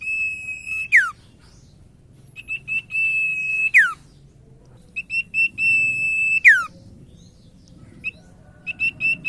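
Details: Common iora song used as a lure for other ioras. A repeated pattern of short clipped whistles stretching into a long even tone, each phrase closed by a fast downward slur, about every two and a half seconds.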